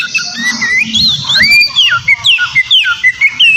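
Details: Oriental magpie-robin singing rowdily to provoke a rival kacer: melodious whistles climbing and dropping, strung into phrases with brief gaps about every half second.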